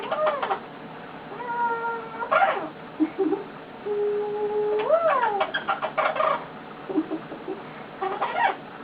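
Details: A male pet eclectus parrot lying on his owner makes quiet, varied noises: level whistled notes held about a second, a rising-then-falling squeak, and short raspy bursts.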